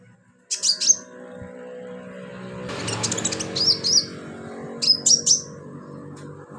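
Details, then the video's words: High, thin whistled phrases come from an actively singing sunbird used as filler song for training birds, repeated in short bursts over steady low humming background noise. "BURUNG KOLIBRI/CONIN GACOR buat isian"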